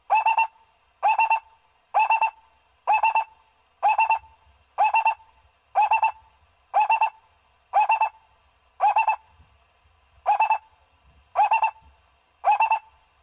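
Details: Repeated barbet call for drawing barbets to a trap: a long steady sequence of thirteen short four-note bursts, hollow and resonant, about one per second, with one slightly longer gap near the end.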